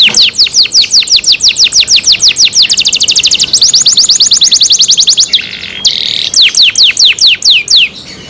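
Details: Canary cared for by its owners, singing a long fast series of downslurred notes, broken by harsh buzzy bursts near the middle before the rapid chirping resumes.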